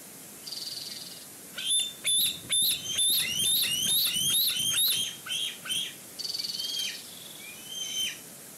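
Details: Bald eagle at the nest with food on it, while another eagle flies in from a nearby tree. A rapid series of high, thin, chirping notes falling in pitch, with a few buzzy squeals before and after.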